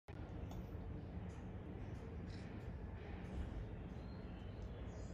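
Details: Steady low rumbling background noise, like a vehicle or machinery, with no animal calls. A few faint clicks and bumps occur, but no bird chatter stands out.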